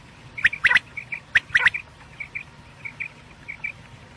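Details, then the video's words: Night-use quail call from Pakistani quail hunting: sharp, high, clipped notes in pairs and triplets, then soft short chirps repeated at a steady pace. "quail sounds/ batair ki boli | Batair ki Awaz rat k lia"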